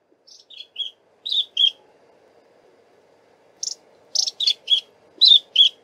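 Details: Shy Long-billed Crombec (Sylvietta rufescens) singing while foraging in very thick bush: two quick bursts of six to seven high, sharp, slightly dropping notes over a faint low hum; a warning call comes at the end of the recording.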